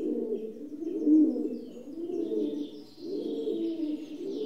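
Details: A rock dove gives low, rolling, throaty coos, three or four drawn-out burbling phrases, with light high-pitched chirping from other birds behind.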